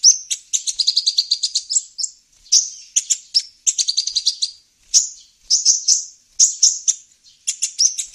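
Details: Olive-backed sunbird (kolibri ninja) lure recording used to attract wild birds: high, thin chirps in quick stuttering bursts, several fast trilled series separated by short pauses, with no other sounds.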